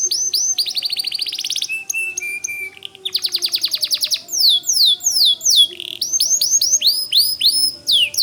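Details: White canary in full song with rapid rolling trills, a long fast-ticking series and repeated sliding whistles, the phrases changing every second or two.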